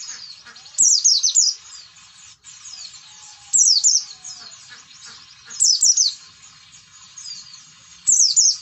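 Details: Wild-type oriental white-eye song in the standard 'ngalas' style, used as a lure to get reluctant white-eyes singing: very high, rapid descending twittering phrases in loud bursts about every two and a half seconds, with softer chatter between.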